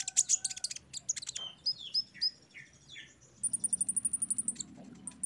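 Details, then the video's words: Olive-backed sunbird training song for caged birds, opening with a dense scratchy burst of high notes, then sliding falling whistles, and ending in a fast even trill of very high ticks, about four per second. "TERAPI KONIN BAHAN OMBYOKAN JADI CEPAT GACOR DENGAR KOLIBRI BONGKAR MATERI PASTI NYAUT SEMUA"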